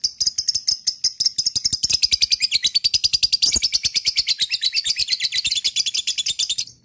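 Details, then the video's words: Lovebird ngekek, a long nonstop rattling trill of rapid piercing chirps, around eight a second, slightly falling in pitch midway, sung to prompt other lovebirds to join in. "SUWARA LOVEBIRD GACOR NGEKEK AMPUH BIKIN LABET LAIN IKUT NGEKEK"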